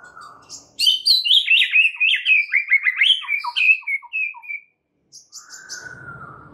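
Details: White-rumped shama lure song meant to prompt other shamas to sing: a rapid rich cascade of high chattering and whistled notes drifting lower over three seconds, then a short pause and a sustained whistle with faint low rumble.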